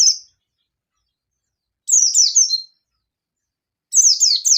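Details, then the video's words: Oriental white-eye, a local yellow-bellied bird, singing an agitated challenge to call out a rival: a short high note, then two bursts of rapid, high, descending twittered phrases separated by silence. "Pleci Ngalas Nembak Memanggil Lawan || Suara Burung Pleci Gacor Ngalas Nembak emosi"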